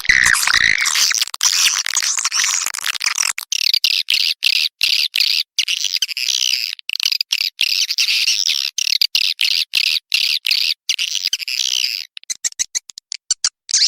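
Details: Swiftlet lure call meant to attract swiftlets into a swiftlet house, for use in Sulawesi: a crowded burst of harsh chatter, then fast, steady high twittering broken by brief gaps, ending in scattered short chirps.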